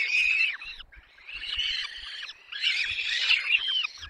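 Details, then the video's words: Peregrine falcon chicks begging at the nest in Poland's Barycz Valley on 6 May 2021, fed for a long time until all are full. Three bursts of harsh, quavering, high squeals sound together, each about a second long, split by short pauses. "Sokoły wędrowne Dolina Baryczy (PL) 2021.05.06 - Długo karmione, wszystkie najedzone"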